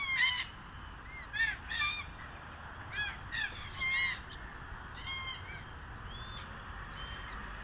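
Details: Red-tailed black cockatoos feeding on casuarina nuts give harsh, grating, harmonic squawks at irregular intervals, some calls overlapping, over a steady low background rumble.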